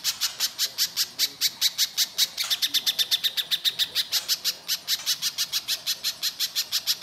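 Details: Singing little spiderhunter, harsh and persistent, used to provoke other birds into answering: high, clipped notes hammered out about five a second, briefly quickening midway before settling again.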